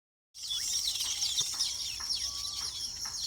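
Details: Weaver birds during the nesting and mating season, a busy chorus of many birds giving high, dense chirps and twitters with short sliding whistles, continuous after a brief silent start.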